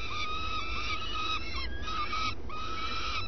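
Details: At their nest at first light, common swifts give a series of long, grating screeches, each note held and slightly wavering, with short gaps, over a constant low rumble.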